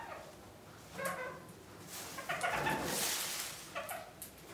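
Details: Red-crowned parakeets, kept birds busy with a big willow branch in winter, give brief harmonic chattering notes in a few bursts, mixed with loud crackling and rustling as the twigs are handled.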